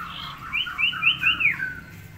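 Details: Tame forktail kept as a master bird for song tutoring, giving a quick series of about five thin, high, rising whistled notes that run together, then a softer falling tail, over a low steady hum.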